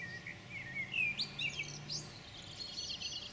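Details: European pied flycatcher (Ficedula hypoleuca), 9 June 2019: a short burst of quick, high whistled and trilled notes rising and falling, with a low steady hum beneath.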